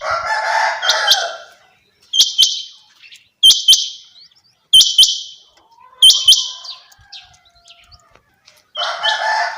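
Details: Female quail giving repeated bright, high paired chirps, two clipped notes per call, repeated roughly every 1.3 seconds, with a burst of broad hissing noise at the start and end.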